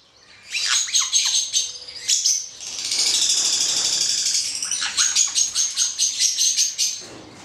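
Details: Hand-reared male black-headed caique producing rhythmic rasping shrieks in quick series, broken by a smooth, steady buzzy stretch of about two seconds before the pulsed screeching resumes.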